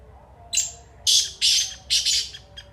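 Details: Kala teetar (black francolin) sounding a single loud phrase: thin high opening note, three coarse rasping bursts with the last one doubled, and a soft trailing click, in a still setting.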